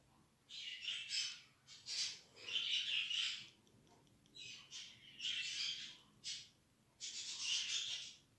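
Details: Young budgerigars getting used to a human hand early, not hand-reared, give rasping, scratchy calls in longer bursts up to a second, several in a row, in a quiet indoor setting.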